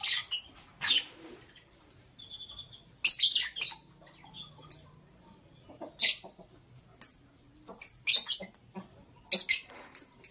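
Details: Lovebird chirping in the morning: sharp, harsh, shrill chirps in irregular bursts, roughly fifteen over ten seconds, some clustered in quick pairs and one short stacked, tonal call early on, with quiet gaps between.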